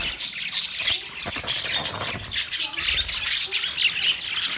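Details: Budgerigars chirping: a dense, continuous chatter of high, scratchy warbles and squeaky chirps from several birds at once, swelling and fading in short bursts, with no pauses.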